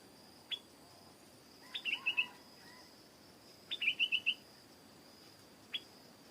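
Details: Rapid chirped phrases of a stripe-throated bulbul, each opening with a sharp note and running into four or five quick bright tweets, plus isolated single calls, over a steady high-pitched insect whine.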